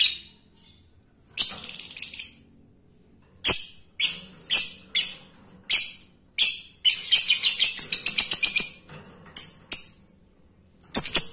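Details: Male lovebird calling the female, other lovebirds said to join with 'ngekek'; irregular shrill squawks and short chattering bursts, building into a busier run of rapid notes before tapering off.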